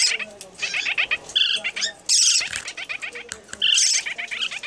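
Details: Young lineolated parakeet, just handfed, begs a young parrotlet for more food with rapid, raspy chattering and short squeaky bursts in an irregular stream; other soft bird chirps mix in.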